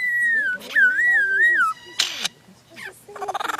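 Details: Lyrebird, an Australian native bird that imitates all kinds of sounds around it, giving loud pure whistles that slide and waver, then a harsh noisy burst and a fast ticking rattle, with faint talking underneath.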